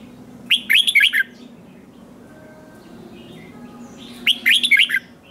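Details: Competition singing by a red-whiskered bulbul, two matching phrases of quick warbled, slurring whistles about four seconds apart over a low background hum.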